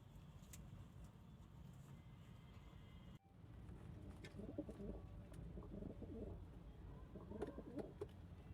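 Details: Pigeons kept by their owner break into a run of deep, bubbling coos after a brief dull thump; soft murmuring calls repeat quickly over low background hum.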